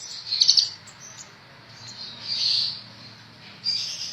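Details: Fainter high twittering from a 'ninja' sunbird kept for tutoring songbirds: a brief bright chattering burst, then thin drawn-out high notes against a low background hum.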